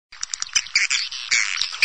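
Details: Swiftlet calls played to attract swiftlets into nest houses: a short, dense burst of bright, chattering chirps and twitters mixed with sharp clicky notes.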